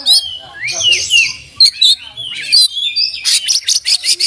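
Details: Oriental magpie-robin singing with open beak, delivering fill-in and master-learned phrases: sweeping slurred whistles and downward glides, a few sharp accents, then a fast run of clipped staccato notes to close.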